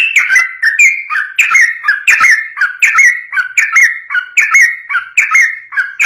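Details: Yellow-vented bulbul in lively, long rapid song meant to provoke other bulbuls into singing back: continuous bubbly, liquid whistled notes with rising and falling inflections, delivered at an even, quick pace.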